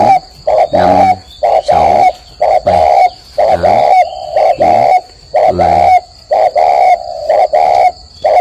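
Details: Spotted dove at a breeding garden in Ba Vì, Vietnam, giving a long morning cooing run: low hollow coos repeated about once a second, while a man counts the coos aloud over them.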